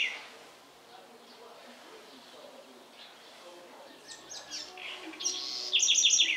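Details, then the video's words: House wren singing in the Sertão region of Bahia, Brazil; near silence for four seconds, then scattered high chirps build into a loud, rapid burst of sharp, repeated high notes at the end. "Canto da Garrincha"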